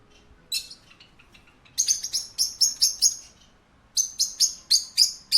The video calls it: A parakeet at a pet shop, - Sound Effect